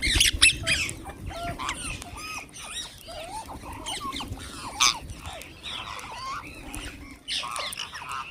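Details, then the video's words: Many wild green parrots calling together during feeding: a dense chorus of shrill squawks, short upslurred whistles and chatter, almost continuous, with low rumbling in the background. "Wild Green Parrots Making Beautiful Noises"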